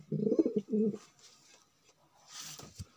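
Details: A male magpie-breed pigeon utters a short, throaty, bubbling coo lasting under a second, then quiet room noise and a brief rustle or flutter follows.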